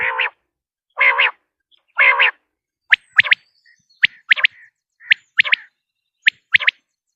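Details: Common quail sounds for hunting: three nasal, harmonic-rich calls about a second apart, followed by sharp high paired and tripled chirps repeated at short intervals.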